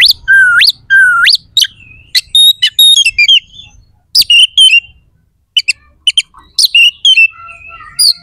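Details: Provoking song of an oriental magpie-robin, full of varied rough phrases for building competition birds' fighting spirit: opens with two rising whistled swoops, then mixed chirps, a brief pause, and assorted whistles.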